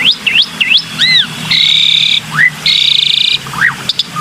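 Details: Black-winged myna lure sound: looping whistles and an arched double note, then two long level buzzy rattles of nearly a second each. Sharp upward whistles and a brief low note follow.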